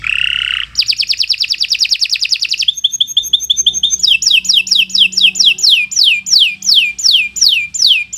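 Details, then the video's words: Canary (kenari) master song for young or silent birds; buzzy opening note, a long rapid high trill, a steady whistled tone series, then evenly repeated falling whistled sweeps about twice per second. "Kicau Burung Kenari 116 II GACOR PANJANG Cocok untuk Masteran"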